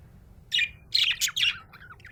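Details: Happy budgerigar giving bright, high chirps in three quick bursts after a short pause, each burst a tight cluster of sharp tweets, over a faint low background hum.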